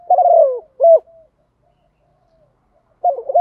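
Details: Spotted dove used as a decoy, cooing in the morning to call wild doves in. A low, hoarse, gurgling coo is followed by a short clipped note. After a pause the next phrase begins, with a clean, quiet background.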